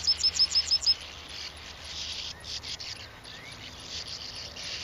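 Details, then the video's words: Bank swallow giving six rapid, high, clipped chirps in under a second, then a dense, hissing wash of distant twittering and rustle for the rest. "Hirondelles de rivage - Bank Swallow"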